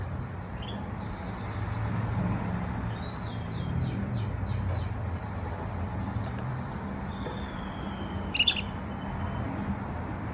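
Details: A young male canary's first singing, soft: high twittering phrases, a run of quick down-slurred notes, then a buzzy trill, over a low room hum.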